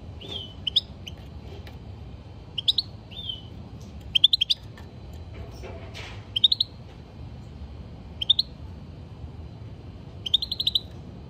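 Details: Caged European goldfinch producing short repeated bursts of tinkling, chirpy twitters roughly every two seconds, some ending in a brief buzzy whistle, over faint low hum.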